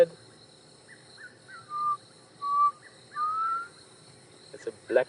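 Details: Mournful Black Cuckoo song, said to sound like "I'm so sad", recorded on an afternoon safari drive at Djuma and Arathusa on 1 December 2014. One phrase of three clear whistled notes, the last sliding upward, then brief clicks at the end.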